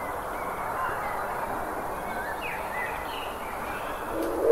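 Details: Soft, low hooting coos from doves in a park, half-buried in steady outdoor hum, with faint high chirps of small birds now and then.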